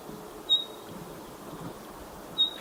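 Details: Spotted pardalote calling, near its nest hole: two single high, thin whistled notes about two seconds apart, each a brief pure piping tone over a quiet background.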